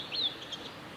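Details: At Lake Miyagase's Kanazawa forest road, Japan, 17 May 2020, a male blue-and-white flycatcher gives one brief clear whistle that falls in pitch, followed by a soft faint note, over light background hiss.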